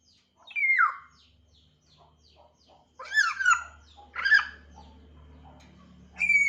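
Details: An African grey parrot beginning to chirp, giving loud swooping whistles, downslurred and upslurred, separated by gaps filled with faint chirps, and ending on a clear steady whistle.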